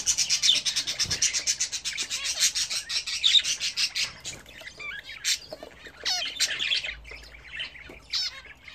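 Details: Home-kept budgerigars at bath time: a rapid pulsing train of high chirps for about four seconds, then looser warbles and rising squeaky notes.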